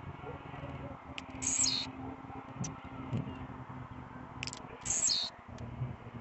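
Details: Blue-black grassquit, agitated and singing a lot at night, gives two brief high buzzy phrases about three and a half seconds apart, with scattered soft high clicks and a low hum underneath.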